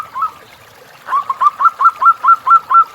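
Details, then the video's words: Singing local zebra dove from the wild: one soft note, then a clean, steady row of short rising coos about four per second, each one a quick upward lilt. "Perkutut Lokal Gacor Audio Jernih Tanpa Noise"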